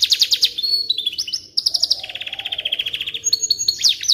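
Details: Canary song for training white-rumped shamas: rapid high chattering, a short gap, then a sustained even trill of fast repeated notes and a closing burst of bright chirps.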